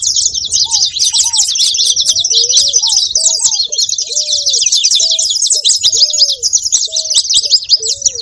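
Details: Saffron finches calling: a dense, continuous mass of high, sharp chirps and tweets overlapping throughout, with softer, lower arched notes repeated at intervals underneath.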